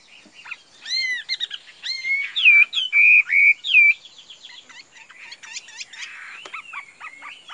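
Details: A caged Chinese hwamei opens with soft notes, sings several loud, drawn-out slurred whistles, then drops into quieter chattering and short whistles.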